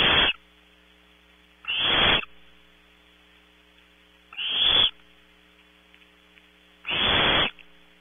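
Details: Barn owl chicks on a night nest camera in California, competing for 3 a.m. prey while one owlet searches for scraps: four loud, hoarse hissing screeches spaced irregularly over eight seconds, over a constant low electrical hum.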